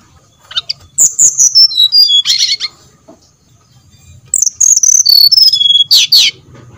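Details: Brown-chested jungle flycatcher song played as a lure to spur other flycatchers: two phrases of pure, high whistles dropping step by step, each finishing in a brief buzzy trill.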